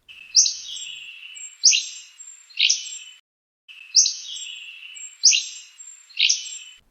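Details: Hammond's Flycatcher song, a bird of mature western coniferous forests: three short, rough, sputtering phrases, each set separated by a brief pause.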